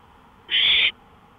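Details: One loud, breathy, scratchy owl screech of nearly half a second, from a porch in the early hours, 1:53 AM, May 5, 2013.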